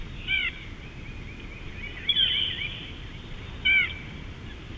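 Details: Bald eagle at Big Bear, 2018: short high squeaky chirps and a thin whistled squeal, repeated in brief bursts over a hissing outdoor background.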